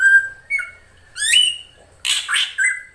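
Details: Female drongo calling to attract a male: flat whistled notes, a rising slurred whistle, then harsh raspy bursts and a closing short whistle.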